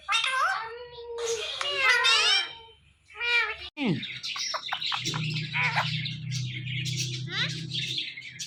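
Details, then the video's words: Indian ringneck parrot, a male pet, watching its own videos, chattering in stacked harmonic phrases and quick chirps, then sharp clicks and squeaks over a steady low background hum. "Cute Ringneck Parrot Watching His Own Videos"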